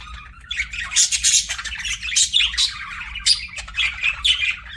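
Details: Budgie kept as a pet, giving a busy stream of scratchy squawks and high chirps that swell after a quiet start, with a steady low hum in the background.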